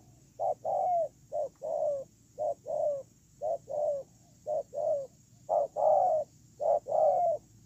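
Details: Spotted dove used as a ground decoy, 8/10/2018, cooing on and on in paired notes, a short note then a longer slurred coo, about seven pairs in rapid sequence, with steady low background noise.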